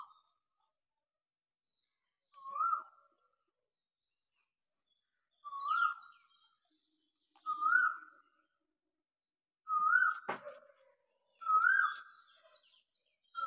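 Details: Asian koel calling continuously at dawn in Dinajpur city, heard from a balcony: a loud, clear, rising two-note 'ko-el' repeated about every two seconds, with faint chirps of other birds behind.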